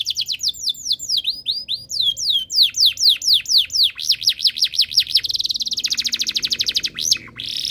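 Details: Canary in breeding condition singing so other birds will start too: long series of clear down-slurred whistles speeding into rapid trills, then a dense buzzing roll and a final harsh burst.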